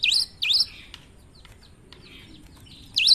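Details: Cinereous tit singing in an odd voice, with two strong swooping whistles opening, a stretch of faint ticks and soft chatter, then another loud whistle at the end.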